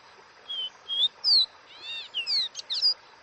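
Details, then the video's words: Caboclinho, or capped seedeater, gives the "Dó Ré Mi" wild song: two pure whistles followed by falling slurs, a burst of stacked buzzy notes and a fast final flourish, all high and clear. "CANTO DO CABOCLINHO Dó Ré Mi 🐦com o Canto selvagem"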